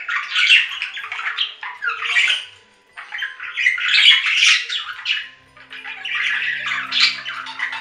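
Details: Budgerigar calls: phrases of buzzy, scratchy warbling chatter with squeaks, separated by two short lulls, and a faint low hum toward the end.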